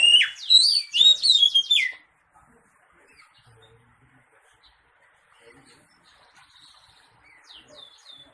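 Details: Oriental magpie-robin singing a loud two-second burst of rich, rapidly varied whistled notes sliding up and down, then near silence broken by a few faint high chirps toward the end.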